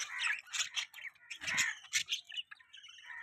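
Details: Several budgerigars chatter in a busy stream of scratchy warbles and chirps, with brief squawks in between. Faint low thumps sound underneath.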